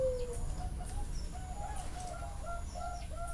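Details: Zebra dove at a bird farm in Chana, Thailand, sings a run of short, clipped, repeated coo notes. Faint higher chirps from other birds and a steady low rumble sit behind it.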